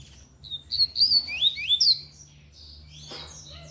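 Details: Lined seedeater singing loudly in the Tui Tui song style: a short phrase of high, clear whistled notes, first level, then a run of slurred rising-and-falling sweeps, followed by a quiet pause and a faint distant note.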